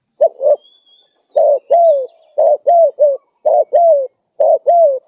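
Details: Spotted dove, a steadily calling bird, used as a lure to draw other wild doves in: low mellow cooing in two-note pairs, the second note longer and gently arched, repeated about once a second, five pairs, with a faint thin whistle early on.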